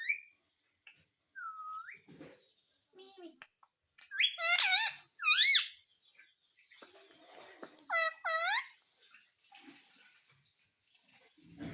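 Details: Talking ringneck parrot known for saying "mummy": a scattered series of short whistles and clicks with two loud clusters of steep downward-sweeping squawks, separated by quiet gaps.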